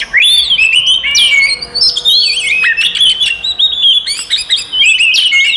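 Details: Oriental magpie-robin, kept bird, giving a loud fighting song meant to provoke rival magpie-robins: rich whistled phrases with sweeping slurs and sharp chips, mostly high-pitched, delivered continuously in quick varied bursts.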